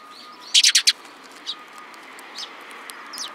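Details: Sparrows chirping: a quick burst of four loud, sharp chirps, then a few fainter scattered chirps against a steady low hum.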